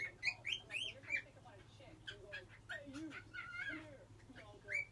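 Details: A young pet cockatiel practising whistling gives quick chirpy upslurred whistles and warbled notes, with people talking quietly nearby and a constant low hum.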